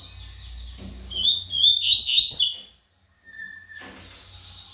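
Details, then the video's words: Fast-singing brown double-collared seedeater: a quick, jumbled run of high chirps and slurred notes swells and then cuts off abruptly, followed by a short pause and a thin, steady trilled note at the end. "COLEIRO PARDO GUMP MOSTRANDO SUA VELOCIDADE"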